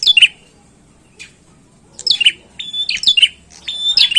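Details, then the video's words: Single bright chirp burst from a bar-winged prinia, then a pause before a rapid string of piercing, high chirps and thin steady notes. "PRENJAK GACOR PIKAT OKE"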